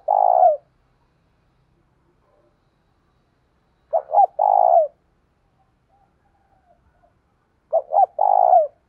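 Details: Spotted dove in the 'thổ' voice style calling to challenge, phrases of two quick hoots and a long coo repeated roughly every four seconds in quiet surroundings.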